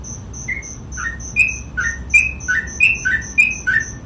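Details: Sooty-headed bulbul singing in the gacor ropel style, a quick run of short whistled two-note phrases dipping and rising, about three per second, over a steady high ticking pulse throughout.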